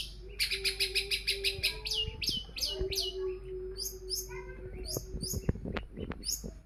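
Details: Long-tailed shrike song played as bait to make other birds sing: rapid runs of high, sharp repeated notes, then varied chirps and harsher notes, over a steady low hum.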